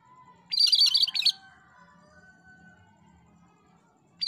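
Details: Gacor song of a cream-striped bulbul: one dense, high, rattling, chattering phrase lasting almost a second, then a faint low hum and a thin drawn-out whistle before the next phrase starts.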